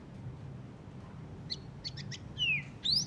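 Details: White-rumped shama after moulting: a few thin, spaced chirps, then two louder sweeping whistles, one falling and one rising, over a faint low hum.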